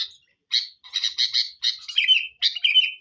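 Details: Sooty-headed bulbul lure song: bright, chattering high notes in short bursts, then two clearer whistled phrases that slide downward. Brief gaps separate the phrases.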